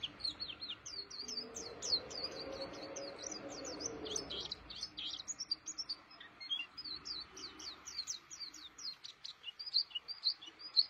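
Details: Pleci (white-eye) in a cage, singing actively: a long, fast stream of high, sharp chirps and slurred whistles, with a soft low murmur in the first half.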